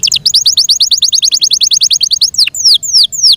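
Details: Caged Yorkshire canary giving about twenty rapid, evenly spaced chips in a rolling tour, followed by a few long, sweeping descending whistles.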